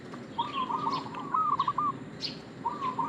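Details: Zebra dove, local bird, singing its bait lure call: a long rippling phrase of stuttered coos followed by the start of another, with thin high chirps from other birds scattered through.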